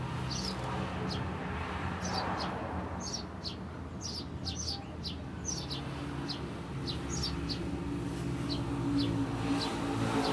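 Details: Eurasian tree sparrow chirping in the ngriwik style, used as a master recording for training songbirds: thin, high, short chirps in quick irregular bursts over a steady low rumble.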